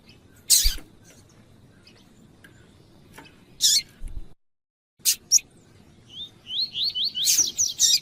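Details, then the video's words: Double-collared seedeater male with a female calling, used to stimulate other males: sharp high chips, then a quick run of rising, wavering whistled notes near the end; a few loud clicks and knocks between. "COLEIRO TUÍ-TUÍ FIBRA COM FÊMEA CHAMANDO PARA ESQUENTAR SEU COLEIRO TUI TUI"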